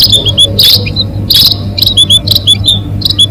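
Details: Munias calling for luring birds into traps: irregular high thin chirps and short whistles, a few strong noisy bursts, and a steady low hum running throughout.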